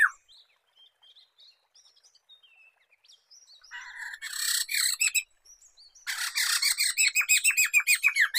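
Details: Black-throated laughingthrush, known locally as poksay mantel or poksay medan, singing as a lure and tutor for songbirds: soft scattered high notes, then a loud harsh chattering burst, then a fast run of sharp downslurred notes.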